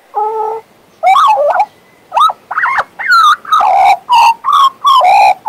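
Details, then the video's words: A pet male Western Australian magpie whistles and warbles: it opens with a steady, hollow, flute-like tone, then gives sharp upswept whistles and a rapid chain of loud, rich, chortling notes. "My Western Australian Magpie Warbling, Whistling and Singing!"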